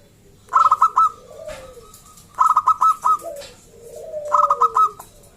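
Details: Local Indonesian zebra dove (perkutut lokal), a loud lure song meant to prompt other zebra doves to sing: quick bursts of about five soft, rolling coos, repeated roughly every two seconds, with a lower sliding whistle between phrases.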